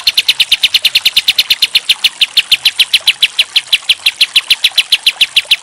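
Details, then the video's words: Tutor recording of a pied triller for training songbirds, kapas tembak style: piercing high notes fired in a quick, even volley, roughly eight each second, with no pauses. "Masteran Kapas Tembak Terbaik 2022"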